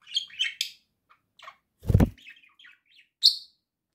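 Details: Home flock of pet budgerigars singing, October 2024: rapid twittering chatter and squeaky chirps, broken by a dull thump, then one loud bright chirp.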